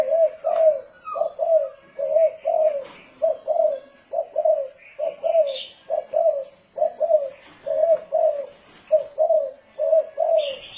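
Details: Spotted dove giving the 'thổ rền' decoy call for luring doves: long series of paired soft coos at an even pace, with faint bird chirps in the background.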